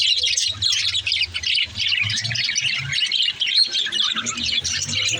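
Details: Young budgerigar singing in a steady stream of shrill chirps, squeaks and warbled twitters, with a soft low rumble in the background.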